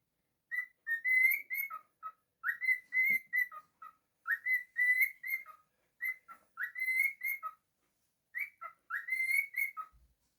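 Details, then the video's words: Cheerful pet cockatiel repeating a learned-sounding whistled melody, short upward-sliding notes followed by a lower final note, in phrases separated by short quiet gaps and a longer pause near the end. "Cockatiel singing. bird singing. happy bird."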